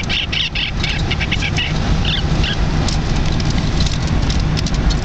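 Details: A turquoise Lineolated parakeet, a 9-week-old female, riding in a jeep on the way to her new home from Victoria, gives short, bright chirping notes in quick bursts over a heavy, steady engine rumble and rustling.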